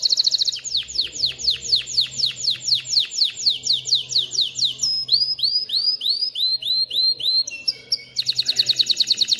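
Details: Male canary song meant to stimulate males to sing and ready females for mating: quick trill opening into a long series of descending whistled sweeps, then bubbly rising slurs and a closing rapid trill, over a faint low hum.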